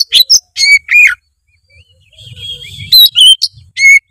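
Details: Oriental magpie-robin singing full and lively, used as a lure to get a reluctant bird singing: loud, sharp whistles and bursts, a quiet pause with a soft wavering note, then more piercing whistled phrases.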